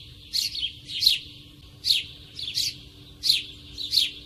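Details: Sparrow calling near the microphone outdoors, sharp downslurred chirps coming in pairs about every second or so, with a steady faint hum underneath.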